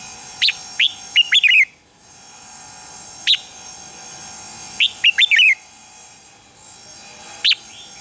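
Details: Morning song of a red-whiskered bulbul, used as lure audio for training birds: short chirpy whistled phrases and single sharp notes, spaced a few seconds apart over a steady faint hum.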